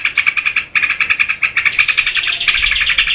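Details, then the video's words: Yellow-vented bulbul in full voice, played to lure and tutor birds. Rapid chirps in an even series, a short break, then a faster, denser chattering twitter that swells toward the end. "SUARA TRUCUKAN GACOR UNTUK PANCINGAN DAN MASTERAN"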